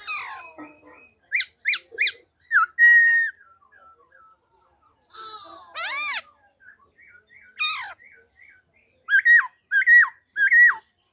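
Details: Wild-type song of a black-throated laughingthrush, 26 December 2020: bursts of short clear whistles repeated in quick sets of three, a rough nasal phrase, loud arched notes, and closing rapid downslurred whistles.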